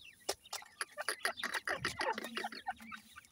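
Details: Several white francolin chicks, called Irani teetar, kept by breeders: quick runs of high chirping peeps, some slurred downward, tumbling over each other with brief taps and a low background hum.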